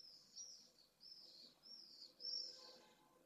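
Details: Two pallid swifts (Apus pallidus) meet at their nest in Jerez de la Frontera, recorded by an overhead remote camera; shrill buzzy screeches in four quick bursts, the last loudest, over a soft background hum.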